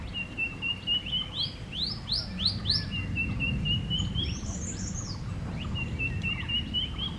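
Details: Common green magpie calling with loud, quickly rising whistled sweeps given in a rapid run. A thin, steady trilled note runs between them, and busy chatter from other birds fills the background.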